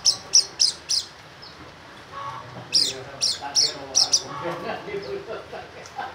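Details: Oriental white-eye singing: a series of quick, very high, sharp chirps in two bursts of four to five notes, over a steady background hum and faint voices.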